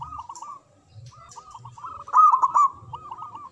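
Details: Local zebra dove in song, a lure for doves that will not sing: soft looping coos from several birds, then a loud rapid bubbling phrase past the middle.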